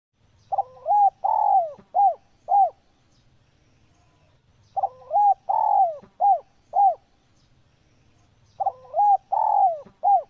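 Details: Spotted dove song used as a master recording for training caged birds: phrases of hollow, rolling coos, each a short burst of four or five notes with one longer falling coo, repeated about every four seconds over faint low rumble.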